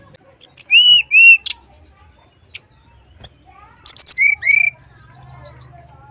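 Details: Male brown-chested jungle flycatcher lure song, meant to rouse rival males and breeding drive, whistled flute-like: a few sliding whistles, a pause, then quick high notes, a rising slur and a rapid descending trill.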